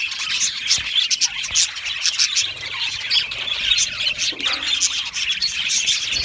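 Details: Many Australian budgies in an aviary colony produce a constant high chirruping babble, quick scratchy twitters and squeaks layered together without pause.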